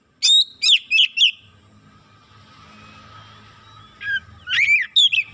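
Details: Excited Oriental magpie-robin letting out its 'isian' fill-in material: four sharp whistled chips in quick succession, a pause of nearly three seconds filled with low hum, then another burst of slurred, rising whistles.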